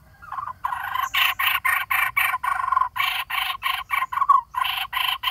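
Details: Nestling lineated barbet near fledging, screaming from a nest hole in a dead durian tree while waiting for parents to bring food; rapid series of harsh, rasping notes, about three or four per second.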